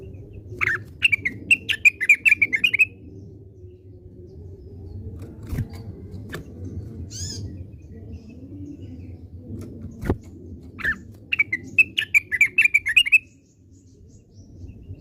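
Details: Orange-spotted bulbul, called cucakwilis in Indonesia, giving its classic song: two bursts of quick, bright warbling phrases around the middle, separated by a quiet stretch with faint clicks and a low indoor hum.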